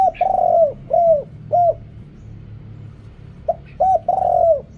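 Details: Decoy spotted dove with a big voice, luring wild birds, noise filtered out: a long rolling coo followed by two short arched coos, a pause, then the same pattern again.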